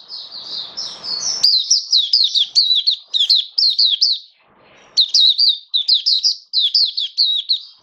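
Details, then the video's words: Caged oriental white-eye singing on 21 October 2022, first day of testing a song-display booster: rapid high chirpy notes, each dipping in pitch, strung in fast runs with a brief pause midway; faint low murmur at the start. "Mata Puteh Buka Sing Raja"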